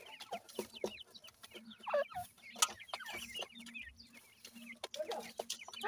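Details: Young francolin chicks aged 28 days feed in a yard, their many high, falling cheeps tumbling over one another almost continuously, broken by louder clicks and bursts, over a faint low drone.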